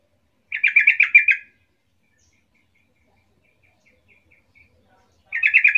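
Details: Yellow-vented bulbul lure call to make other bulbuls respond: one rapid chattering burst of about a second, a long quiet gap with faint notes, then a second burst starting at the end.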